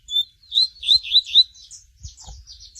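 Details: Variable seedeater, known locally as coleiro tui tui, singing: a quick run of bright whistled and slurred notes in five loud pulses over the first second and a half, fading into softer twittering notes.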